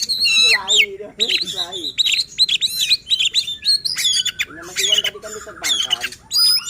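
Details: Oriental magpie-robin song meant to provoke other magpie-robins into agitated, persistent singing and to prompt lazy singers: loud high whistles, rapid trills and harsh squawky notes in quick varied bursts, with lower nasal rasping sounds beneath.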